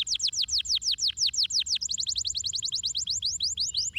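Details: Canary song: fast rapid trills of descending high chirps, about five per second, changing to a quicker tighter series midway, with a low steady background hum.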